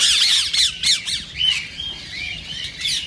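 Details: Harsh, shrill calls of a green rose-ringed parakeet, played to encourage singing and mating; a quick run of scratchy squawks opens, then thinner whistled notes and scattered screeches follow.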